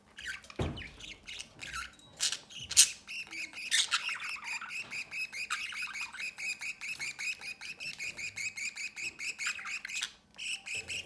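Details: Budgerigar chicks fed by their parents at the nest entrance; after a few loud squawks, a long fast series of rhythmic raspy begging pulses, about four per second, ending in a burst, indoors.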